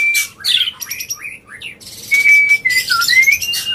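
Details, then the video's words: White-rumped shama singing in an agitated, non-stop way to provoke other birds: a brief whistle, scratchy twisting notes and harsh bursts, then a clear level whistle that dips and rises again. "Pancingan Murai Batu Emosi, Gacor Nonstop 24 Jam❗❗ AUTO Buka Paruh Langsung Ngamuk"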